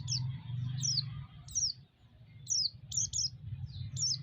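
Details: White-eye lure song for exciting other white-eyes: thin, high, falling whistles, about seven, some doubled in quick succession, over a continuous low droning hum.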